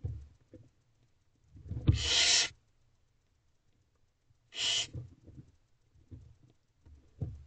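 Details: Barn owl mother feeding hungry owlets inside a nest box shortly after midnight on 17 April 2023; two rasping hisses, the first longer, nearly a second, the second shorter, about three seconds apart, amid scratching and shuffling noises.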